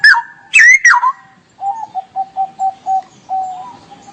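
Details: Straw-headed bulbul in 'gacor' song, 'ngerople' style: a loud, gurgling, swooping warbled phrase followed by about nine short, lower whistled notes repeated steadily, roughly three per second.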